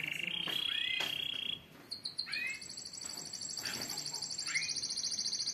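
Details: Canaries in group song to stimulate other birds: a steady trill, then a higher rapid rattling trill, with brief upslurred chirps and background hiss.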